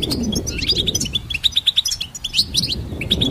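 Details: Goldfinch hybrid singing, used to train songbirds: quick, high chirps and liquid twitters in fast runs, some notes repeated in short series, over a low background rumble.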